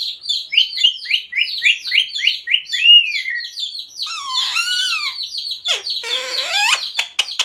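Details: Pet parrot said to speak "Radhe Radhe" and "Sita Ram": fast series of high chirps, then a couple of drawn-out harmonic speech-like syllables and a harsh noisy burst ending in clicks.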